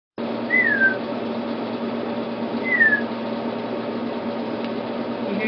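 An emu chick still in the egg gives two short, high whistled chirps that slide downward, about two seconds apart, over a steady low indoor hum.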